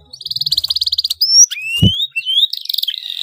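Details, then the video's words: Excited canary in dense rolling song intended to make other canaries join in: a rapid even trill of about twenty pulses, a rising whistle, a soft thump, long upward-sliding whistles, then a buzzy fast roll. "KENARI GACOR EMOSI NGEROLL RAPAT, DIJAMIN KENARI LAIN AKAN NYAUT IKUT GACOR"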